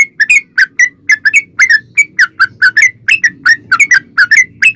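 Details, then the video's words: Yellow-vented bulbul singing a rapid, long run of chattering notes, used to lure other bulbuls into song: crisp whistled chirps in quick succession, some paired, with a soft low hum beneath. "trucukan gacor ROPEL PANJANG buat pancingan trucukan agar bunyi"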